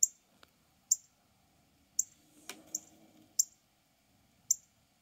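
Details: Mating call of a male northern cardinal: six sharp, high-pitched chip notes at uneven intervals of about a second, with a soft click and brief low rustle in between.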